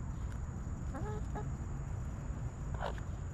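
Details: Backyard chickens relaxing in their coop, a few short harmonic clucks around the one-second mark and one brief louder note near the end, over steady low rumbling background noise.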